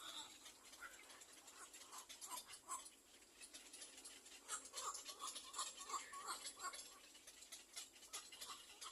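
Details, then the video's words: Young little black cormorants calling while waiting for the mother to bring food; short squeaky whimpering notes in quick, fairly regular series, with a steady background of faint clicking. "Little black cormorant baby Birds release while waiting for their mother to feed."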